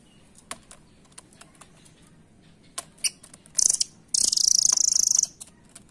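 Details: Rambatan, the velvet-fronted nuthatch, a bird said to be vanishing from the local wild and sold at bird markets. Sparse sharp clicks give way to a short burst, then one sustained high, rapid, ticking trill near the end.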